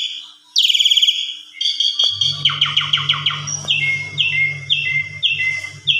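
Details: Asian pied starling song used as a lure to rouse other starlings into full, varied singing: a fast high trill, then rapid repeated chattering notes and a run of clear whistled downslurs about every half second, over a steady low hum.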